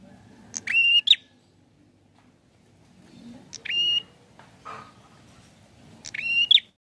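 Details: Bar-winged prinia singing as if seeking a rival: three buzzy notes with flicked endings, spaced two to three seconds apart, over faint low background noise.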